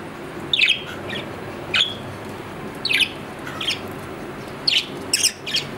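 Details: Captive budgerigar, a pet Australian parrot, giving short scattered chirps and squeaky notes spaced irregularly over several seconds against a steady low background hum indoors.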